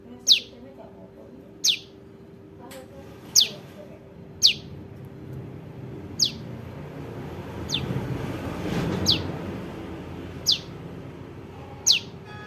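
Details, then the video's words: Bar-winged prinia juvenile calling, a sound used to lure birds into traps: about nine brisk, high falling chips at irregular intervals of one to two seconds, with a passing vehicle rumble midway. "SUARA PRENJAK LUMUT [ ANAKAN ] AMPUH UNTUK PIKAT"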